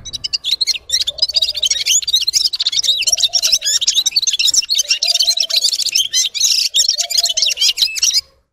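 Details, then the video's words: Red-fronted serin, also called Gulsir or Yurok Qushi, singing a G'ir-G'ir song: a dense, fast, high jingling twitter of rapid trills and chirps that runs almost continuously. Soft lower warbled notes sound roughly every two seconds underneath. "Gulsir Singing (Seriniis pusillus) Пение Птицы (Yurok Qushi Red-capped signing) G'ir-G'ir"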